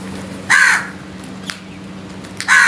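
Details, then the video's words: Morning crow calls: two loud, hoarse caws about two seconds apart, with faint small-bird ticks between them and a constant low hum behind. "Crows Sounds"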